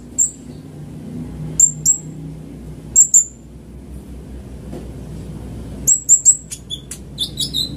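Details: Van Hasselt's sunbird lure sound: isolated high sharp double notes spaced by pauses, then a quicker cluster of chips and falling whistles near the end; faint low hum.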